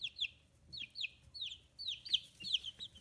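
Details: Chicks fifteen days after hatching, feathers coming through, kept free-range in Kitahiroshima, Hiroshima, Japan. Loud, clear descending peeps come in paired bursts, close to the microphone.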